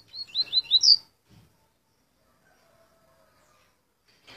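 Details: Curió crossed with Coleiro, a hybrid bird, giving one brief burst of four or five fast, high, warbled notes climbing to a bright final note, followed by near silence with a faint low hum.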